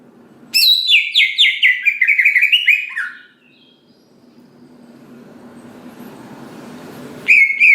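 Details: Greater green leafbird singing to provoke other green leafbirds: a fast tumbling run of chirped notes drifting lower over about two and a half seconds, then a soft background murmur, and a final sharp whistled note.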